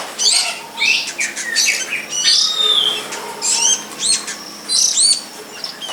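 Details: Long-tailed shrike in the wild in Indonesia, with chirps, harsh notes and downward-curving whistles mixed through six seconds of busy, varied song; faint background hum throughout.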